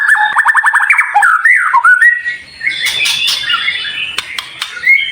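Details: White-rumped shama song with dense, sharp variations: a fast rattling trill of repeated whistled notes, then a rising slur and softer, fainter notes trailing off.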